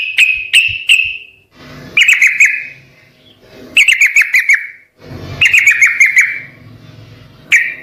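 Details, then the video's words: Sooty-headed bulbul singing, meant to prompt other birds to answer: clusters of four to six bright, slurred chirps ending in a fading ring, repeated roughly every two seconds, with soft low background noise between phrases. "Burung Trucukkan video asli suara asli gacor Setel di rumah pasti pada nyaut"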